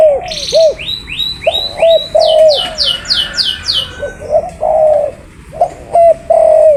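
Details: Spotted dove repeating soft, hollow, arching coos. Bright upslurred whistles and descending chirps from another bird run through the first half.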